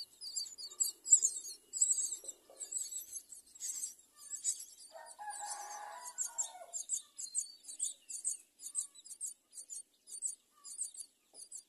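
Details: Myna chicks at the nest give high, scratchy begging notes in quick bursts, two or three a second, as adults bring food, with a lower, harsh adult call breaking in midway.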